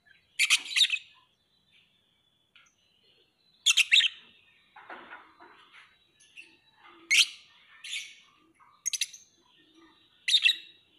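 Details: Lovebird giving sharp, harsh, high chirps in short bursts of two or three notes, spaced a few seconds apart with quiet gaps and faint softer twittering between bursts.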